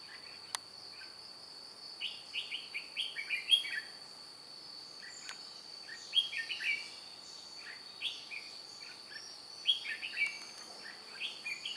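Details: Red-whiskered bulbul decoy luring wild birds, wing-flicking and tail-beating, 2 July 2018: repeated short bursts of lively whistled chirps come every few seconds over a steady high-pitched insect drone, with occasional clicks.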